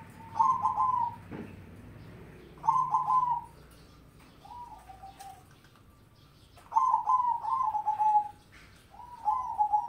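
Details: Zebra dove, a crossbred mocha-coloured bird in full voice, giving bursts of rapid stuttering, trilled coos at a medium pitch. Four phrases are separated by pauses of about two seconds, with one quieter, shorter phrase in between.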